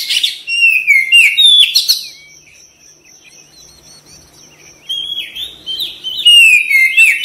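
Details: Oriental magpie-robin song in gacor style: loud swooping whistles and chirps, a quiet stretch with only a steady high tone, then resumed bright whistled phrases.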